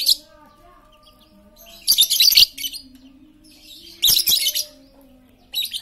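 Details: Chattering lovebird played to coax silent lovebirds into song: dense bursts of shrill, grating twitter roughly two seconds apart, each lasting about half a second, with a quiet low hum underneath.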